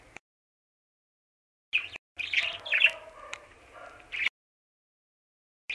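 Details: Free-flying budgerigars giving short bursts of high, scratchy chirps and chatter, separated by silent gaps, with one longer warbled burst in the middle.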